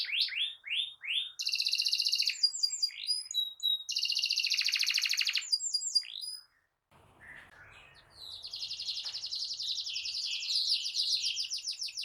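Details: Canary song in long continuous rolling style, meant as a master song to prompt other canaries: fast high trills and rapid chirp series, a brief pause near seven seconds, then a dense buzzy trill continuing to the end.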